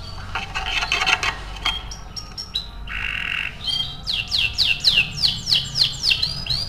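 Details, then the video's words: Canary song used to stimulate other canaries to sing: varied chirps, a short buzzy passage and flat tones, then a rhythmic series of swooping whistled notes repeated about three times a second. "Suara pancingan kenari untuk merangsang burung kenari bunyi"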